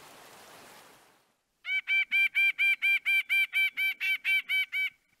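A White-breasted Nuthatch gives a fast, even series of about fourteen nasal, honking notes, after a brief burst of hiss.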